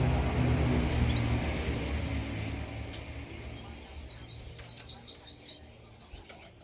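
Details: Canary singing, starting after a few seconds of low rumbling noise: a quick, regular trill of high chirping notes, then a second trill slightly higher, the rumble fading beneath.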